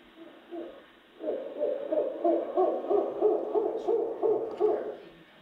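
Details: Male Mexican spotted owl, an endangered species surveyed in southeastern Arizona, gives agitation hooting: a rapid, low, barking run of hoots, about three per second, rising in intensity like monkey calls.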